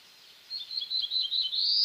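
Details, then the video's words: Black-throated blue warbler, eastern North America, singing one phrase of quick high buzzy notes that builds into a louder, rising buzz at the close. Little else is heard. "Black-throated Blue Warbler Song"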